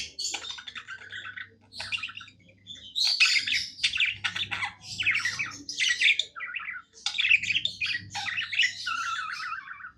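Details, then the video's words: Pet budgerigar chattering happily, loud bursts of harsh squawky chirps and rattling warbled notes strung into long phrases, with brief silences and a low hum underneath. "Happy budgie singing"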